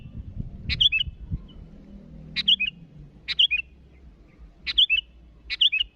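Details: Sooty-headed bulbul calling rivals with crisp bursts leading into quick, bubbly whistles, the phrases spaced unevenly one to two seconds apart over quiet low hum.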